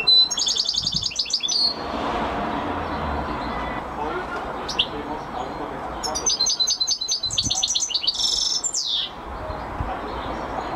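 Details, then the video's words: European goldfinch producing bursts of rapid, jingling twittering song separated by a few seconds of background noise, with a buzzy, harsher phrase near the end of the second burst. "Goldfinches(carduelis) Amazing Singing Compilation"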